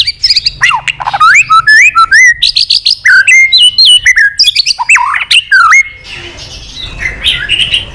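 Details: White-rumped shama singing a long song meant to provoke fighting: a fast run of varied clear whistles, slurred rising and falling notes and sharp chips for about six seconds, then fading into quiet rustling.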